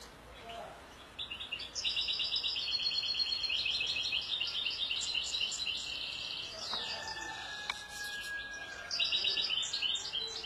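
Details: European goldfinch singing a long, bright, rapid twitter of tinkling and buzzy high notes, pausing briefly before resuming, with steady background hiss and a faint click.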